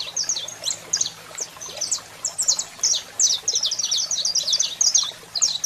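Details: Saffron finch male singing and female calling: fast, high, sharp chirps delivered in dense rattling runs, nearly three notes per second, over a soft steady hum.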